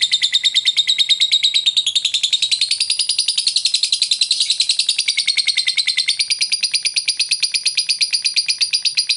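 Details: Lovebird calling a rival, the ngekek style used as a lure: one unbroken, rapid, high chattering trill of evenly pulsed notes, wavering slightly in pitch for the whole nine seconds, with no other sounds.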